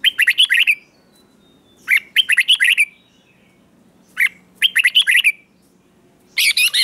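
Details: Red-whiskered bulbul kept for morning song training, giving short bright phrases of rapid chirpy notes around one second long, repeated about every two seconds with quiet gaps between.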